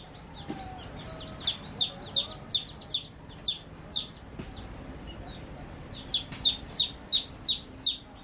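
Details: Young chicks chirping at play, giving bright descending peeps in quick series, a quiet gap in the middle, then another fast run; faint background hum and a few clicks.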